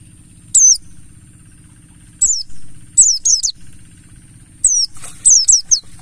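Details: Mountain white-eye of the Buxtoni Ngalas type, used as a lure to make other white-eyes sing: short, high, sharply inflected chirps in scattered bursts of two or three, with long gaps and a steady low hum beneath.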